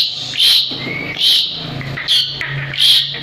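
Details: Asian pied starling, a jalak suren in full song, used as a tutor recording for other birds. Harsh, buzzy bursts repeat about every 0.8 seconds, with a thin, level whistle between them. Faint low hum in the background.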